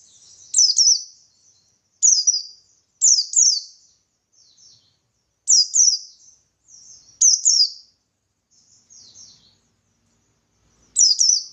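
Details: Ngalas song of a buxtoni white-eye, used to provoke answers from other white-eyes: repeated high double chirps sliding downward, interspersed with faint soft twittering between phrases.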